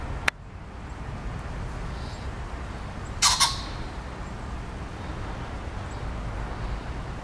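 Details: A common pheasant crows from a tree in a zoo on 18 November 2020, giving one harsh, rasping two-note crow over a steady low rumble of distant traffic, with a single sharp click earlier.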